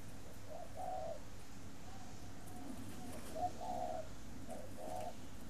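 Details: Breeding spotted dove at a bird garden in Ba Vi district, Hanoi, Vietnam, giving mellow low coos in two grouped phrases, each a brief lead-in note followed by a drawn-out wavering coo and softer trailing notes, with a faint electrical hum beneath.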